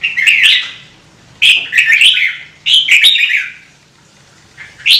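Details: Singing red-whiskered bulbul kept in a cage, giving short bubbly whistled phrases with quick up-and-down notes, three main bursts separated by brief silences, clean and close.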